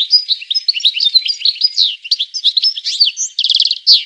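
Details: European goldfinch singing a quick jumble of twittering and slurred notes, followed by a fast rattling trill and a final buzzy note.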